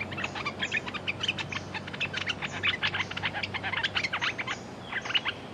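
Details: Red-whiskered bulbul decoy bird used against a clever territorial wild bulbul: dense, fast chattering of sharp chirps and short whistled notes throughout, several birds seemingly overlapping.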